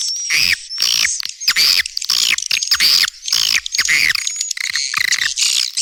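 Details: Swiftlet call to attract young swiftlets: separate rasping, squeaky chirp bursts, roughly one per second, uneven in spacing, with a thin high whistle in the background.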